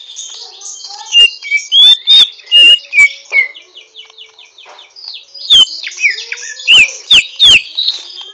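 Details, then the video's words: Learning greater green leafbird in rough twittering song: clusters of loud whistled slurs and sharp clicks separated by a softer, fast, high-pitched scratchy warble. "Burung cucak ijo ngriwik kasar belajar gacor"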